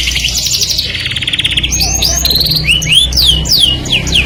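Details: Canary song that attracts the opposite sex: a rapid buzzy roll opens, then sweet slurred whistles rising and falling in a lively series, with a low background hum.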